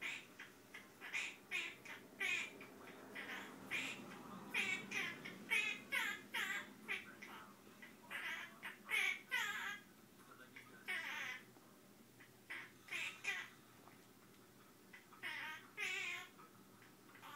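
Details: Male Quaker parrot improvising a song of mumbled, speech-like chatter: short nasal, squawky syllables in uneven bursts, some rising and wavering, with quiet pauses, over a constant low hiss.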